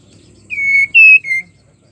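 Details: Female white-rumped shama in breeding condition calling to a male: three clear whistled notes, the middle one higher and loudest, with faint low background rumble before them.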